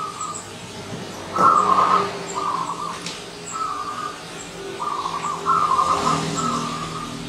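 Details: Wild zebra dove that has come visiting, giving a series of short, purring, trilled coo phrases in quick succession, some louder and fuller than others, with faint high chirps from other birds in the background.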